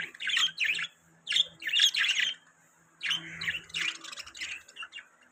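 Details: Budgerigar warbling in short chattering phrases of mixed whistled and buzzy notes, grouped in bursts about a second long with quiet gaps.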